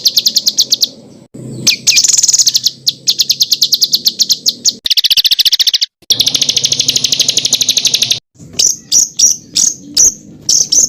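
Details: Spliced songbird master track of varied 'full isian' phrases for training contest birds: churring high rattles, a long rapid chatter, and spaced sharp chips, joined by abrupt cuts with brief silences between segments.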